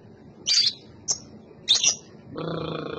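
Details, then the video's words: Young lovebird, described as gacor (chattering actively), gives three short, sharp, high chirps about half a second apart, followed by a steady droning tone with a low background hum. "burung love bird anakan gacor"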